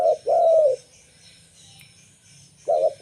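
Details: Zebra dove of a local type singing, a recording used to lure wild zebra doves: one short coo then a longer warbling coo, a pause of nearly two seconds, then the next phrase begins.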